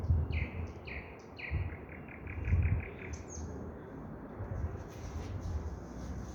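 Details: Common nightingale song against constant low road or rail rumble: quick repeated whistled notes that speed into a rapid trill, followed by thin high notes.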